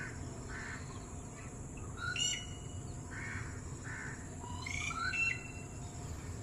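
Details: Red-whiskered bulbul calling to distant friends: two sharp whistled chirp bursts a few seconds apart, with softer rounded notes between them and a continuous low background drone.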